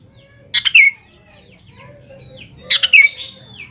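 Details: Sooty-headed bulbul singing lively as a lure to draw a reply from young birds: two loud, bubbly phrases of three or four quick notes each, about two seconds apart, with faint thin whistles from other birds between them.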